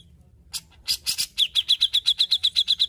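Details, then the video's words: Grey-cheeked bulbul singing vigorously: harsh, broadband rasping bursts, then a fast run of about fifteen sharp, high chipping notes repeated several times per second, steady in pitch. "Terapi Cucak Jenggot Gacor l Paling Ampuh Untuk Masteran & Pancing Bunyi"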